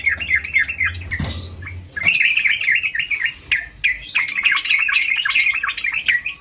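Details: Sooty-headed bulbul singing actively: a busy run of short, bubbling, slightly warbled notes, with a brief thump and low rumble near the second second, then the chattering phrases resume densely to the end.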